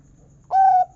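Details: Local zebra dove with a big 'kung' voice, used as a lure to get zebra doves singing: one steady, hollow cooing note held about a third of a second, then the start of another, in a quiet background.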